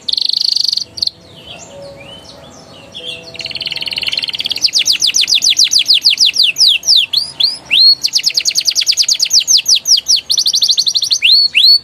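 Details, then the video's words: Energetic canary song used to prompt juvenile canaries: scattered high chips and a buzzy roll open into long rhythmic runs of rapid downslurred notes, broken by quick upswept whistles. "PANCINGAN KENARI PAUD NGERIWIK NGEROLL GACOR EMOSI EFEKTIF UNTUK TERAPI KENARI MACET BUNYI"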